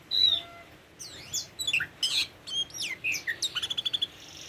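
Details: Tame Oriental magpie-robin song: a clear whistled opening note, then varied sweeping whistles and chirps, ending in a fast run of repeated short notes.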